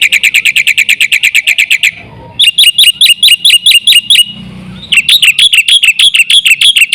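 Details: Black-winged myna song played as a lure: rapid, loud, metallic piping notes in long runs, shifting to twangy looping notes after brief pauses, with faint low background noise.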